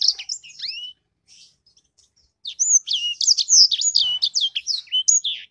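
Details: Sanger songbird giving a brief twitter, falling silent for over a second, then bursting into dense, rapid, high whistled chatter.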